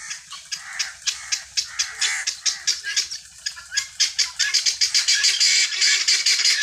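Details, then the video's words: Free-range helmeted guineafowl searching for food, giving harsh, rasping calls repeated in a steady rapid series of about four per second, growing denser toward the end. "GUNea Fowl Saund and searching feed free range"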